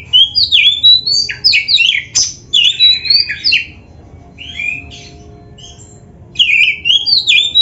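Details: Oriental magpie-robin in 'gacor full isian' song for caged-bird training: quick choppy whistled and chattering phrases, a softer middle stretch, then renewed loud whistles at the end.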